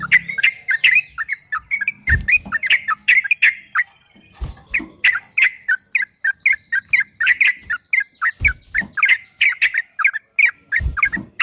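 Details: Continuous ropel song from a yellow-vented bulbul, recorded to make caged bulbuls respond: crisp, bouncy notes in a quick irregular stream, broken by several loud clicks or knocks.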